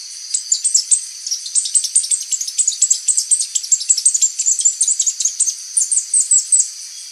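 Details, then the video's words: Mid-mountain berrypecker (Melanocharis longicauda), a small bird of mid-mountain forest, singing a long, unbroken run of thin, very high chips and twitters, tumbling quickly along without pause, described as kemade-like but more powerful. "buah dada kuning, berkicau seperti kemade, namun power lebih keras"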